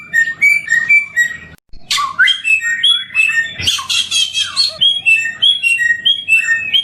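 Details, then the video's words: Sweet-voiced endemic samyong bird: alternating whistled notes, a brief break, then a loud burst of harsh chattering and squeaks before the clear two-pitch whistles resume. "BURUNG SAMYONG || ENDEMIK"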